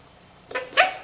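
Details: Pet male Quaker parrot practising favourite phrases: a paired, smacking kiss imitation, with a soft first burst and a sharper second one.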